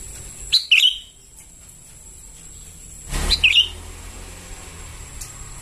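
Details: Sooty-headed bulbul chicks calling for a lure: two bursts of three or four quick squeaky notes sliding downward, about two and a half seconds apart, over a faint high whine.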